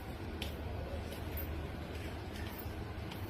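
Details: Steady low rumble with faint ticking and distant hum, no animal voice heard.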